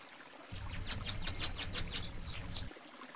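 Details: Bananaquit (Coereba flaveola), called sibite in Brazil, singing a very high, thin, hurried song: about ten sharp descending notes in quick succession over two seconds, ending in a couple of higher slurred notes. Background quiet.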